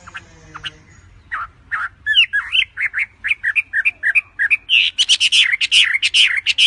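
An Oriental magpie-robin sings a rapid, varied run of whistled and squawky notes, about two or three per second, which gets louder and busier toward the end.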